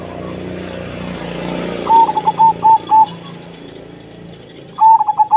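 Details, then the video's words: Zebra dove cooing in quick, clipped notes of even pitch, one phrase of five beats and another starting at the end, over a background hum of passing traffic. "sungguh merdu suara burung perkutut ini"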